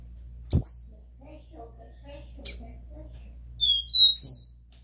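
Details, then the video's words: Copper seedeater song in the pure "Dó Ré Mi" style, played to warm up a captive bird: a thump, a high downslurred note, a short chip, then three clear whistled notes near the end over a faint low hum. "O CANTO DO CABOCLINHO DÓ RÉ MI PURO PRA ESQUENTAR SEU PÁSSARO"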